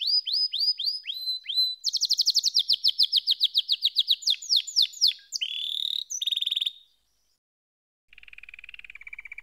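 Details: Canary delivers rapid downslurred notes, a fast high trill, a buzzy phrase and, after a short silence, a soft low rolling trill.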